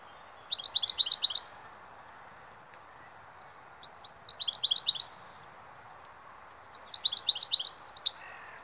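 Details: Goldfinch singing three clear phrases, each a quick string of high, tinkling twitters ending in a brief buzzy note, separated by pauses of roughly two seconds over a constant low hum.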